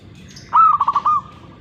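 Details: One short zebra dove coo sequence of five or six rapid rolling notes and a drawn-out final coo, clear above a soft low murmur.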